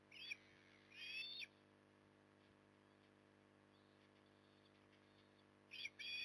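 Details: Osprey at Port Lincoln, Australia, on 9 October 2020 during evening feeding: three bursts of high, harsh, rapidly repeated whistled notes, the first two near the start and the last at the end, with quiet gaps between.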